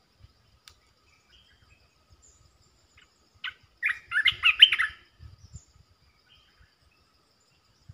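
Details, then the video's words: Red-eyed bulbul, a resident territory holder calling: a brief burst of bubbly, chattering notes packed together over about a second and a half, otherwise quiet with faint low knocks. "เสียงนกกรงตาแดงEp.219 จ้าวหยกสายเรียก!! เจ้าถิ่นมารำ"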